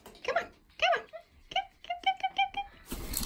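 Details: A talking 3-year-old male double yellow-headed amazon chatters in speech-like, nasal syllables: a few drawn-out phrases, then a quick run of short notes, ending with a burst of rustling noise.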